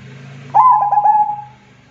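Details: Zebra dove, a local bird in active song, gives one phrase of quick stuttered coos ending in a long sustained note. A steady low hum runs beneath it.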